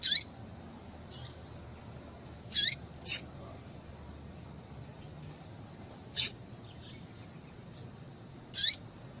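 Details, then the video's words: A female double-collared seedeater's call, played to make males sing, comes as short high chirps with quick falling ends, spaced every two to three seconds, with fainter notes between and steady background hiss. "Melhor Piado de Fêmea de Papa capim Para Esquentar Papa capim"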